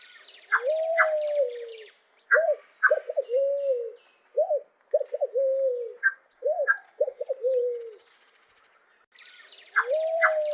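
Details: Pale-vented pigeon song: a long, low, drawn-out coo opens, followed by repeated phrases of two or three short stuttering notes that end in a falling coo, with the long coo returning at the end.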